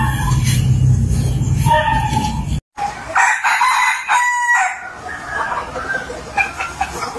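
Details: A rooster (Gallus gallus domesticus) crows in a yard in harsh, harmonic bursts, spliced with a short cut, with a low rumble of wind or machinery underneath.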